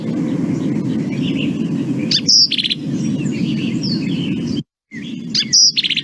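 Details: Black-capped Vireo song in a recording meant to show the "drink your tea" mnemonic: short, emphatic, high chattering phrases about three seconds apart, with softer notes between, over a steady low rumble.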